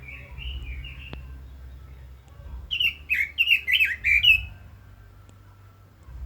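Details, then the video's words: Soft opening warble, a quiet pause, then a bright phrase of about six loud, swooping whistles from a Red-billed leiothrix, trailing off into low background hum. "Chim Quế Lâm kích giọng hay, căng lửa - Burung Robin Gacor | Chim Kim Oanh Mỏ Đỏ"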